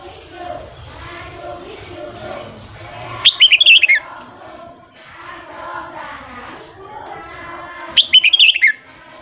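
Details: Red-whiskered bulbul singing in the morning, for training newly caught birds; two short, sharp warbled phrases several seconds apart, each dropping in pitch, over a steady murmur of other distant chirps and noise.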